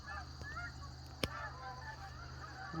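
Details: Many geese on a property between a lake and a pond honk in an overlapping morning chorus of nasal, wavering calls, with a sharp click and a low steady hum underneath.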